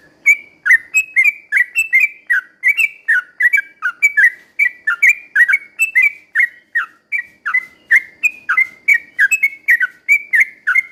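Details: Sooty-headed bulbul singing vigorously in a slow rolling style, used as a lure to make other bulbuls sing agitatedly: a long unbroken run of short liquid whistled phrases, roughly three per second, alternating slightly higher and lower notes.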